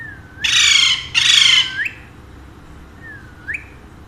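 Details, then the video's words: A pair of pet Alexandrine parakeets, said to speak Urdu and Hindi. Two loud, coarse squawks are each followed by a thin rising whistle, and a faint upslurred whistle comes later. "My Two Sweet Alexandrine Parrots Talking in Urdu/Hindi"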